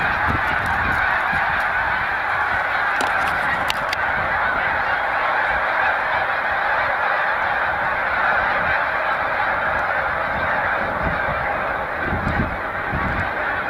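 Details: On Cayuga Lake, New York, on 20 March 2021, big flocks of migrating Snow Geese resting in spring keep up a constant chorus of honks, with sharp clicks near the start and low thumps later.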